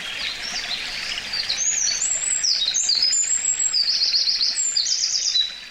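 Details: Eurasian wren in full song at Karuizawa Wild Bird Forest, Nagano, Japan, May 2019, recorded binaurally: a loud, very high, fast outpouring of twittering notes and rippling trills, ending abruptly near the end.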